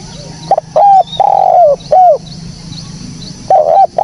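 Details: Spotted dove calling, recorded as a lure sound for trapping birds: series of clear, slightly descending coos in quick succession, then a pause and a further paired coo, over a faint low hum.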